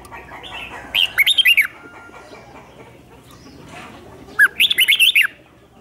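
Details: Red-whiskered bulbul used as a lure bird to call wild birds in: two brief bursts of bright, looping whistled notes, about six each, roughly three seconds apart over a faint steady hum.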